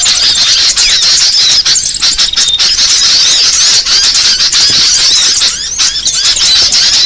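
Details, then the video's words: Used to lure small birds for trapping, this sound is an unbroken flock-like twitter of high squeaks, clicks and short whistled notes. One clear steady whistle stands out around the middle. "Suara paling ampuh pikat segala jenis burung kecil"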